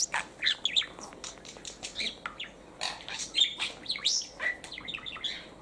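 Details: Male pet parakeet talks in a rapid run of high squeaky syllables and chirps, rising and falling in short bursts with brief pauses.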